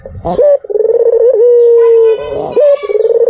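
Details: White dove's lure call, with rippling trilled notes followed by a drawn-out steady coo and a short rising note. Brief rough sounds, possibly voices, come at the start and middle.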